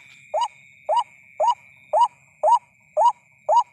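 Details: Night lure for white-breasted waterhens: seven even, hoarse notes, each bending upward, repeated about twice a second over a faint steady high tone.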